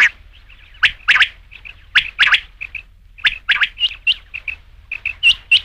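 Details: Rain quail calling with sharp paired notes, loud and high, given in bursts with short pauses between them. The air around is quiet otherwise.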